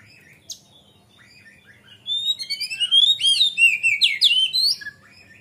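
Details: Oriental magpie-robin in lively full song, used as a lure to train young birds: a burst of loud, varied whistled phrases with sweeping rising and falling notes and rapid chirps, following a second of near quiet with a faint chip.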